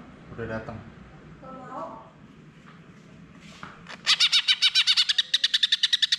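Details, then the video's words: A greater green leafbird in full song, used as a lure to prompt a silent leafbird to sing, gives a loud, rapid run of bright, high chipping notes, about four a second, after a few seconds of a person's voice. "suara pancingan cucak hijau macet bunyi"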